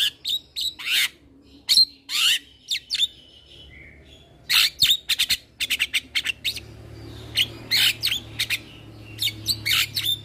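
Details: Caged young male Javan myna, singing eagerly while nodding, in a master recording for training cage birds: bursts of loud, harsh chirps and whistles in irregular clusters, with short pauses between them.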